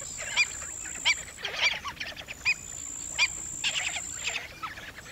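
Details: Several black-winged stilts yelping, with sharp single notes interspersed among busier overlapping bursts of nasal calls, over a steady high whine.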